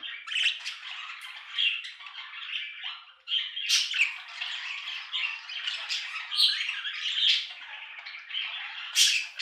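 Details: Budgerigars chattering steadily, a dense mix of warbles, squeaky squawks and sharp clicks, with brief louder chirps scattered throughout and no other sounds.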